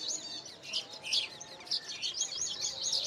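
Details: Baya weavers busy making their hanging nests in a colony. A steady stream of high, sizzling, twittering chatter runs without pause, many chirps overlapping.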